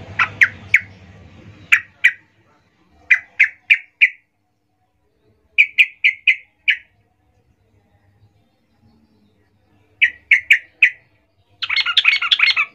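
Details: A female yellow-vented bulbul calls males as a lure, giving short groups of three to four sharp bright notes separated by pauses, ending in a dense burst of rapid chatter.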